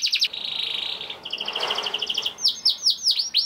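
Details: Young canary singing, used as a lure to set other canaries singing: a low buzzy trill and a run of paired chipping notes over faint background hiss, then loud swooping whistled notes.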